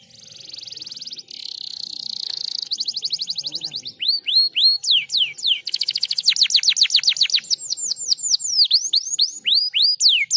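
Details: Singing canary used to stir other canaries into song: opens with a dense high buzzing roll, then long runs of steep, downward-sliding whistled notes repeated rapidly.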